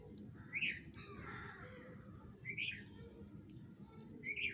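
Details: Sparrows calling while eating food: three short, bright chirps spaced roughly two seconds apart, each a quick rising-falling note, over a low steady background rumble.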